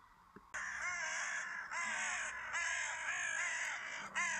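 A carrion crow gives harsh, hoarse caws, about five in a row, less than a second apart, with a faint hiss behind.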